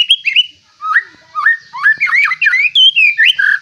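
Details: White-rumped shama, a caged fighter bird with a rich repertoire, delivering clear whistled notes that rise and fall, some slurred together in quick varied phrases.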